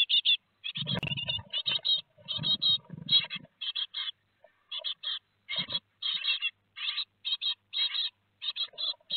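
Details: Great tit chicks on 15 July 2020 at Théding, two days before leaving the nest, watched by webcam: rapid, repeated rasping chirps in near-continuous bursts, with low rustling and thumping of the young moving about.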